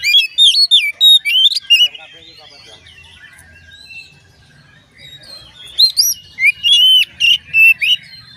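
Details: Oriental magpie-robin song meant to make other magpie-robins sing along, loud rapid whistled and slurred phrases, a quiet gap in the middle, then another strong burst of rising notes.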